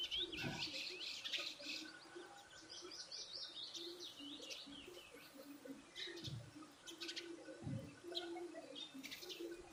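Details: Several birds chirp while feeding, giving dense bursts of thin, high, jittery chirps at an irregular quick pace, with soft pattering and rustling thumps underneath.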